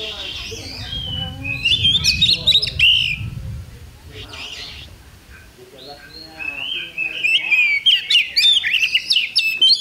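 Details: Oriental magpie-robin at a bird contest, 8 October 2020: bursts of quick chattering and whistled notes separated by a quieter pause, with human voices and crowd murmur underneath.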